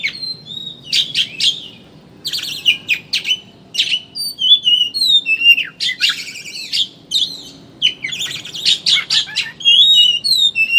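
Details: Oriental magpie-robin (kacer) ngeriwik lure song meant to make birds open their beaks and sing: bursts of dense rasping chatter alternating with quick whistled flourishes, with short silent gaps between phrases.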